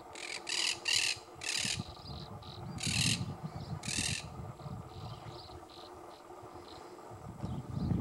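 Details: Andean flamingos give harsh, nasal squawks in quick bursts, louder early and fainter later, over a low wind or traffic rumble; recorded 4/8/2018 in Las Colonias department, Santa Fe, Argentina.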